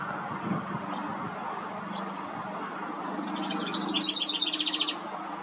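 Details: A house wren in a front yard gives a quick, bubbly burst of high chattering notes that tumble over about a second and a half, over a steady low hum of background noise.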